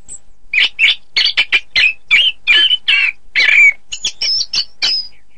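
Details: Orange-headed thrush song meant to teach contest birds: a steady series of loud, varied warbled notes about twice a second, finishing with thinner high whistled chips.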